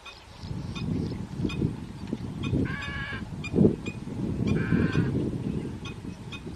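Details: Garganey duck calling: low, harsh, rasping bursts repeat through the recording, with two short nasal, harmonic calls near the middle and faint high chirps from other small birds in the background.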